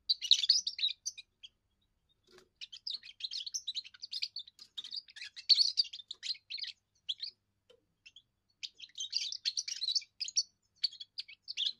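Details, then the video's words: Young European goldfinch giving its first song, used to defend territory and attract females: bursts of rapid twittering, tinkling notes and short buzzy trills, delivered in runs of one to three seconds separated by brief pauses, with no other sounds. "first song of a young goldfinch amazing wonderful singing"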